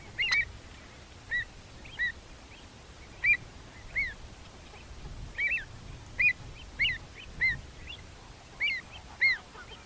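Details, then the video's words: Avocet field recording from the UK: loud, clear, piping calls repeated roughly once a second, each call short and slightly downslurred, with a fainter second bird answering and low background rumble. "Avocet - Bird Song Identifier"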